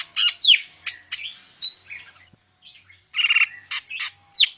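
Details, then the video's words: Full-isian song from a greater green leafbird, Medan type: harsh chirps mixed with a clear high level whistle, a short ringing note and a scratchy burst, delivered in quick bursts. "cucak ijo medan_gacor full isian"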